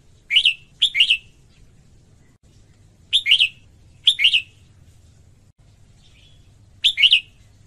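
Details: Singing female red-whiskered bulbul, used to stimulate males: quick, bright two- and three-note warbles arriving in loose pairs, separated by gaps of a second or two, over a quiet low background hum.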